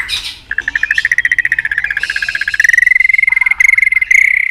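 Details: White-rumped shama in competitive provoking song. A long, rapid, even trill of pulsed notes holds a steady pitch for several seconds, rising slightly midway, with brief buzzy sounds at the start.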